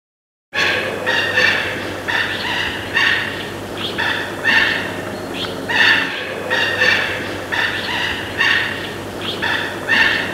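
Mandarin ducks give short, harsh, nasal calls in quick bursts about twice a second, overlapping as several birds call together over a steady low hum.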